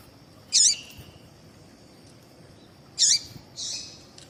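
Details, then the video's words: Female double-collared seedeater calling, used to prompt males to sing: three rasping high chips, the last softer and more drawn out, over a faint steady hum. "Piado de Fêmea de Coleiro para Foguear Coleiro tui tui Com Piado de Fêmea de Coleiro Chamando"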